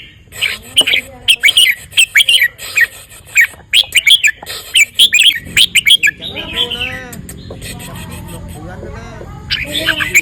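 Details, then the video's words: Red-whiskered bulbul singing with bright, high chirps and clipped whistled notes in quick bursts. Later a lower, wavering tonal sound and background music take over. "นกกรงหัวจุก เบิ้ล ริก ทรงอย่างหล่อ ร้องอย่างเก่ง"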